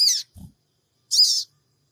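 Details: Sooty-headed bulbul lure notes, 'cingik cingik', recorded in Purbalingga on Android: two rasping, buzzy chirps about one second apart, with a low, brief knock between them.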